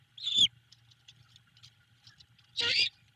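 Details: Great horned owl owlet at a nest in Savannah, giving cheeps as its mother returns in the evening after a break; two short high harsh rasping calls about two seconds apart, with a low steady hum behind.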